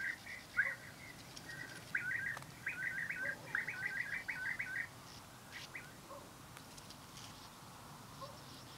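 European bee-eater giving a quick series of liquid, rolling 'prrup' notes for about five seconds, then a few fainter calls over soft outdoor background noise.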